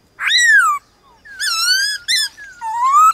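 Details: White-cheeked laughingthrush in a morning singing contest with wild birds: loud rich whistles, a falling slur, a long even note, and a slowly rising final whistle.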